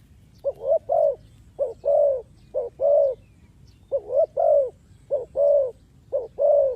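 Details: Trapping lure call of a spotted dove; about five phrases in a row, each two quick rising coos then a longer sustained coo, low and mellow, fairly regular rhythm.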